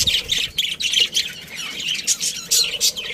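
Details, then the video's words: Caged budgerigars, a breeding pair within a colony: busy high chirps and squawky chatter overlapping, with short louder squeaks near the end. "Cute Budgies Chirping Sounds"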